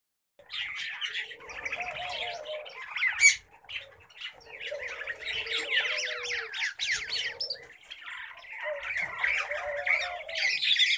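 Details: Several pet common babblers calling together in three bursts of dense, scratchy chatter. Harsh squawks and rapid trilled notes are layered over a low, sliding whistle that rises and falls beneath them.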